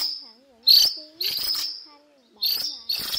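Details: Cuckooshrike calling its flock, a call said to draw birds in quickly: loud, harsh, rasping bursts with a ringing edge, repeated about every second, over faint low, wavering whistles.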